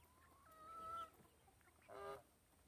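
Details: Dorking chicken chicks foraging and being fed; two soft, drawn-out whistled peeps, the first steady and slightly rising, the second shorter and fuller, over quiet background hiss.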